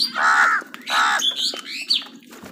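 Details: Wild crows caught up in a fight with other birds over food let out two drawn-out, rasping caws, followed by thinner, higher squeaky notes from another bird.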